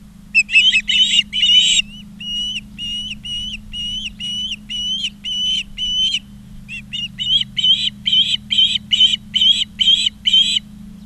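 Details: At a Montana nest near Charlo, an Osprey gives a long steady series of piercing whistled chirps, about two per second, briefly pausing midway; constant low hum from the nest camera.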